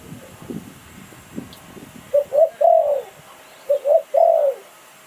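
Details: Spotted Dove decoy bird from Thailand, Sai Phon Liu Tan style. Low thumps and rumbles come first, then two clear phrases of short rising coos, each ending in a long, smooth, falling coo.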